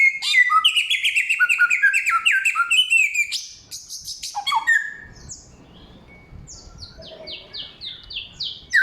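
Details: Loud, clear samyong song of many voices: rapid bursts of rising and falling whistled notes, then a quieter stretch and a series of high, sharply descending chirps repeated about every half second.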